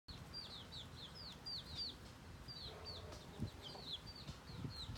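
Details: Chicks foraging with their hen give thin, high descending peeps, several per second from more than one bird, over a soft low rumble of background noise.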